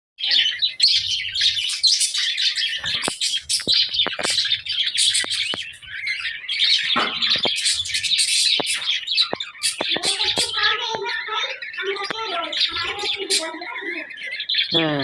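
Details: Many budgerigars in a pet store warble and chirp together in a busy, overlapping chatter of high twittering notes.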